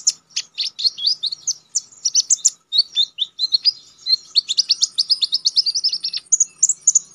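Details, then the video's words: Konin in continuous sharp song, used to tutor contest birds: a steady flow of rapid, piercing high chirps and chattered notes, nearly without gaps. "Konin damer gacor ngalas nembak tajam‼️ampuh buat masteran"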